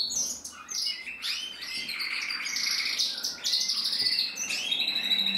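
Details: A black-red mosaic canary cock sings a lively, varied song: rising whistled slurs, rapid trills and buzzy rolls flowing almost without pause.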